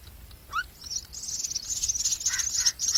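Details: Common myna feeding its chicks with a lizard; a short rising whistled note opens, then a dense run of high, harsh begging chatter from the chicks with lower squeaky notes near the end.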